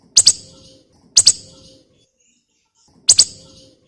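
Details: Javan fulvetta, kept as a tutor bird to prompt other birds, giving three loud, harsh, explosive double-burst calls, each followed by a brief fading rasp, spaced about one to two seconds apart.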